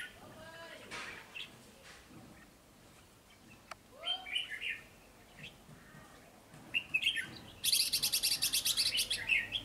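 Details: Wild-caught red-whiskered bulbul, keen to sing, giving several brisk warbling phrases of slurred, rising and falling notes, then a loud rapid rattling flutter of wings or cage noise filling the last two seconds.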